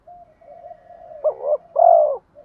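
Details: Luring rival males, a decoy spotted dove delivers a quavering double coo and then a sustained, full croon, set against a steady low humming tone in the background.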